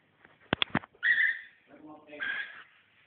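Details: Pet cockatiel apparently reacting against green socks, giving two harsh, raspy screeching calls about a second apart, preceded by a few sharp tapping clicks, with a brief low human voice murmuring between the calls.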